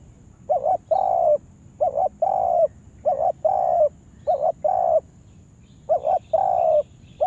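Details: Trapping decoy spotted dove in a yard, repeating low, soft coo phrases: a quick double note then a drawn-out coo, five phrases in steady rhythm with short breaks.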